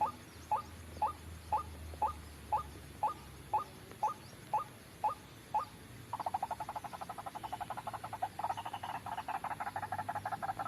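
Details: Trapping lure of a White-breasted waterhen: evenly spaced sharp notes about twice a second, then after six seconds a rapid, denser chattering series that builds and becomes busier toward the end, with background hiss.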